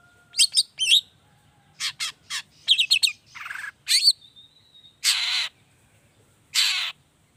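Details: Long-tailed shrike (cendet) lure recording, 'toet toet' variation, meant to start other shrikes singing: scratchy chattering notes and a short whistle, then two long, grating buzzy calls separated by a pause.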